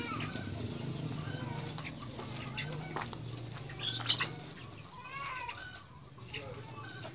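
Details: Red junglefowl from Lombok, a caged male and female being paired for breeding, giving short clucking notes over a steady low hum, with faint human voices in the background.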